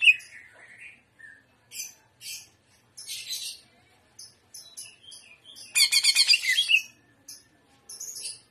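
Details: Greater green leafbird, a young bird, singing in the prawn style: scattered high chirps and short whistled notes, then a dense burst of rapid buzzy trills around the middle, followed by more sparse chirping notes.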